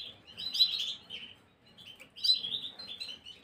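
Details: Gloster canary singing, recorded 9 January 2023: two bursts of warbled, slurred phrases with bright notes, each lasting about a second, separated by a short pause; quiet indoor background.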